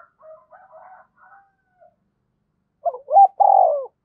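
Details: A calling spotted dove used as a decoy. Soft, faint murmured notes come first, then a louder cooing phrase of quick hooked notes and a long rolling coo near the end.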